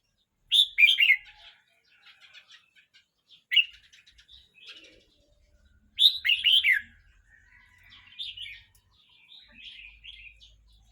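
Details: Red-whiskered bulbul, a teenage bird of 12 months 29 days, repeats short, rich warbled bursts three times over eleven seconds. Quieter twittering notes sit between the phrases.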